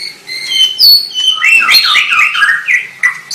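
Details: White-rumped shama singing a rich phrase: clear steady whistled notes at the start, then a rapid tumbling run of warbled, looping notes and a final sharp accent, loud and close.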